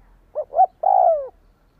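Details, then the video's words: Spotted dove call used to stir a decoy bird: a quick pair of soft hollow coos, then a longer, smooth, falling coo that tapers off, heard cleanly against near silence. "Tiếng chim cu gáy thúc kích bổi nhanh nổi hiệu quả-Suara Burung Tekukur"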